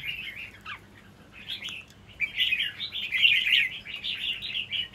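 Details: Wild-caught red-whiskered bulbul from Kim Bôi, Hòa Bình, Vietnam, kept with a caged competition bird, sings bright, bubbly warbled phrases in quick, uneven bursts, growing louder and more continuous toward the end; faint background hum.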